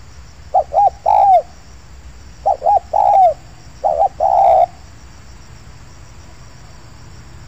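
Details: Spotted dove (tekukur), a wild male lured at an oil palm plantation in Indonesia, gives three low cooing phrases of two short notes and a drawn-out rolling coo, spaced roughly 1.5 seconds apart, then silence before a final note begins.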